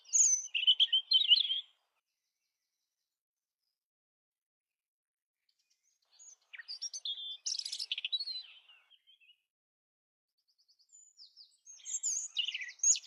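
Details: European robin (Erithacus rubecula) singing three short bursts of high, thin, tumbling warbles separated by pauses, with no other sounds intruding.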